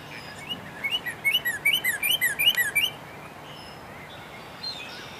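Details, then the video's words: Male Northern Cardinal sings a quick run of about a dozen clear, slurred whistles over two seconds, with faint high chirps from other birds behind; recorded at Dufferin Islands on April 1, 2019. "Cardinal Song"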